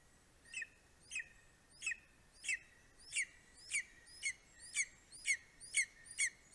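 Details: Estonian greater spotted eagle, 9:02 am, 2 July 2020, as a male delivers voles and a bird to his four-week-old eaglet. About eleven clear, sharp yelping notes, each slurring downward, repeated steadily roughly twice a second.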